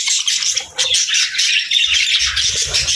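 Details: Budgies in full song, a busy stream of buzzy, high twittering and sharp chirps layered together without pause, with soft low knocks toward the end.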